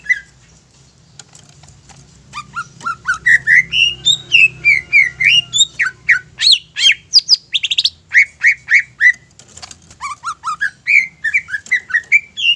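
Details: Greater green leafbird in long, energetic song, used to provoke other leafbirds into singing: fast, varied whistles, chips and sharp slurred notes pouring out for over ten seconds with brief pauses, a soft hum beneath.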